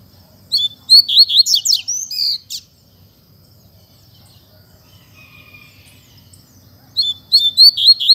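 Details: Caged Double-collared seedeater in Mack song: two seconds of fast, high whistled and slurred notes ending in a buzzy note, a long near-silent pause, then the strophe beginning again.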